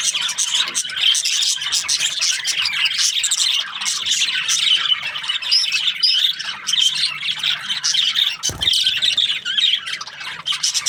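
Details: Morning chatter of budgies, many birds at once, giving nonstop high twittering, sharp squeaks and rapid warbles layered together, with one brief click near the end.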